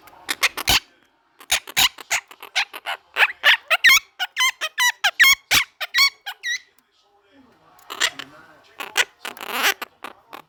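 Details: Pet parrot screaming indoors: a rapid run of loud, harsh squawks and wavering shrieks in irregular bursts, a brief pause near the middle, then noisier screeches toward the end in a small room.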